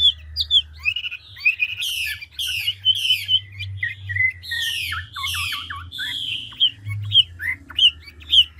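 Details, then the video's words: Large, mature forest-caught Chinese hwamei of the ngũ trường style, rapidly switching voices: loud whistled and slurred phrases, with bursts of quick descending trills near the middle and end, over a steady low hum. "Họa mi ngũ trường đảo giọng tốc độ"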